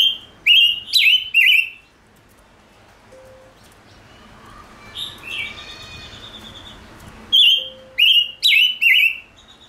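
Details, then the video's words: Chim ngũ sắc singing in loud, sharp whistled phrases. Three descending notes open the recording, then come softer, lower warbling and a thin tone, then four more bright whistles near the end. "Chim Ngũ Sắc Hót Hay/ Chim Ngũ Sắc Kích Trống Căng Lửa"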